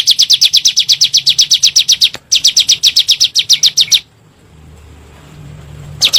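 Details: Bar-winged prinia (ciblek gunung) 'nembak' lure recording for provoking caged birds: rapid high chirp series, a brief gap after two seconds, stopping at four seconds into low hum, resuming near the end.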